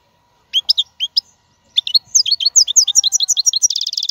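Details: Pure, wild European goldfinch singing as a model for caged young birds; a few spaced high chirps, then a fast run of tinkling twittered notes ending in a quick buzzy trill.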